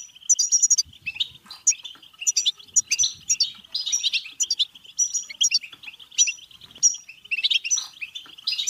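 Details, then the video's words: Goldfinch singing, a recording meant to excite other goldfinches into song and breeding: rapid tinkling twitter with clipped high chirps, short rattles and liquid trills, unbroken for the whole stretch, no other sounds. "بتبتة حسون فعالة و رهيبة لتحفيز الحسون على التغريد و التزاوج و الهيجان"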